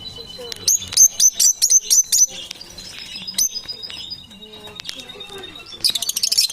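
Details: Parrots producing a quick series of about eight high whistled chirps early on, then scattered single notes and a dense burst of high twittering at the end.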